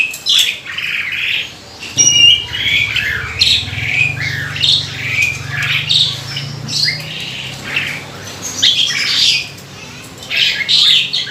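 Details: Lure song of a kept Asian pied starling, a species known locally as jalak suren that imitates many birds: raspy squawks and bright whistles in bursts, with a steady low hum running through the middle seconds.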